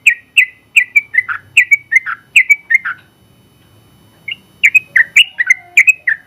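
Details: Sooty-headed bulbul, winner of the general contest class, sings fast runs of liquid whistled notes, pauses about a second and a half, then resumes with another lively burst.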